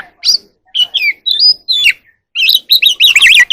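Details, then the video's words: Wild oriental magpie-robin singing in the evening while dancing: a few spaced whistled and slurred notes, one held clear tone, then a fast, dense burst of warbling, scratchy twitters. "kacer alam | Choè than hót múa buổi chiều tối เสียงนกกางเขนบ้าน"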